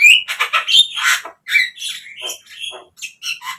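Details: Javan myna (jalak kebo) song played as a lure to bring captive birds into full song: a run of harsh squawks, buzzy bursts and short whistled notes at irregular intervals, in a small indoor room.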